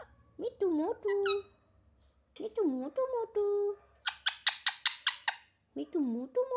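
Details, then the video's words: Talkative pet parrot producing voice-like wavering nasal syllables, a run of about eight sharp clicks, then more bending speech-like notes in a quiet room. "बहुत बोलता है बहुत बात करने बाला तोता"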